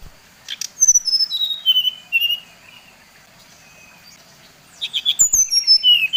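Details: Song of a Bali brown-chested jungle flycatcher played to excite others of its kind: clear whistles descending stepwise in a rapid series, a silent gap, then a second falling run of pure notes.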